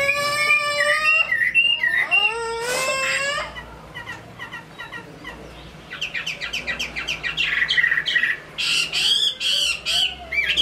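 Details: Captive hwamei from Hai Phong, Vietnam, singing: stacked, rising, nasal notes at first, then a quieter spell, then rapid bursts of sharp, high chips repeated about two or three times a second.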